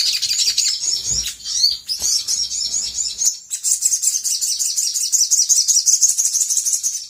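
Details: Sooty-headed bulbul used as a lure to make other birds answer quickly, giving a rapid, fast-paced chatter: dense high twittering and sharp chirps run almost without pause, growing busier and more continuous in the second half.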